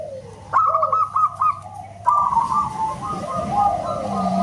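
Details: Local zebra dove calling loudly like a whistle: two short bursts of fast, tremulous fluting notes, the second drawn out into a wavering tone, over noisy background rumble.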